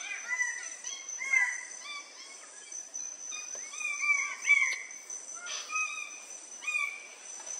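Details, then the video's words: Red bird-of-paradise at a lek on Waigeo, Papua, in July 2024, in the wild: loud, harsh, slurred notes repeated in irregular bursts, with a steady high insect drone throughout. "Red Bird of Paradise lek"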